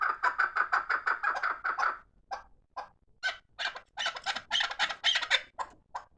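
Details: Fighting chukar partridge gives a quick run of chuck notes that breaks off into isolated clucks, then louder, harsher grating calls.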